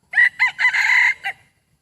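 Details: Decoy rooster crowing loudly: a harsh, broken crow in four or five quick bursts, with a long sustained middle phrase and a short clipped end, all within under two seconds, over a quiet background.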